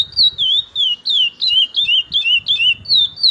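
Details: Kept curió, a chestnut-bellied seed finch its owner calls one of his best birds, delivering bright, sweet whistles that dip and rise, in quick repeated phrases close together, with soft low background noise.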